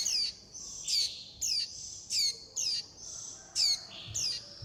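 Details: Young warbling white-eyes calling their mother and begging for food: high, descending chirps repeated about every half second, with a soft hiss between the notes.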